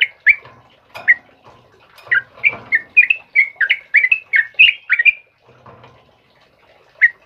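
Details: Morning song of a sooty-headed bulbul of the trucukan kebo type: a burst of rapid whistled notes over about three seconds, ending in quiet, then one last chirp, with faint flutters.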